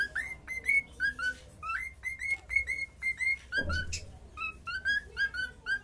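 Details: Cockatiel singing a lively run of short whistled notes, rising slurs and level tones in quick succession with brief gaps, plus a soft thump midway and faint background hum.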